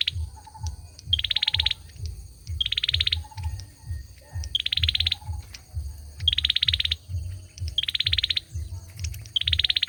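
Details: Male olive-backed sunbird singing six fast, dense trilled bursts of high clicking notes, spaced about 1.5 seconds apart, with faint lower chirps early on over a continuous low rumble.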